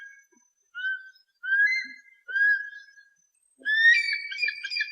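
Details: Eagle call for repelling pests, beginning with three separate, softer rising whistles, then breaking into a louder, harsher run of harmonic screaming notes.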